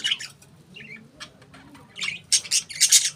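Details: Pet budgies give scattered scratchy chirps and soft warbling notes, then a closing flurry of loud, rasping squawks in quick succession.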